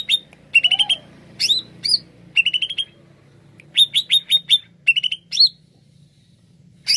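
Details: Greater green leafbird singing lively, varied phrases of rapid staccato notes and looping whistles in short bursts with brief silences, plus one lower downslurred note early on and a faint background hum.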